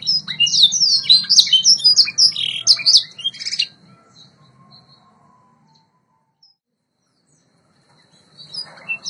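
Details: White Yorkshire canary song from a training recording: fast loud run of chirped and whistled notes lasting under four seconds, followed by near silence and a faint return at the end.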